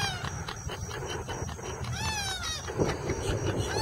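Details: Purple gallinule family with a chick at South Lake Howard Nature Park, Winter Haven, Florida, adults calling to their baby; a run of nasal, harmonic calls, several sliding downward, one arched rise-and-fall near the middle, over steady low rumble.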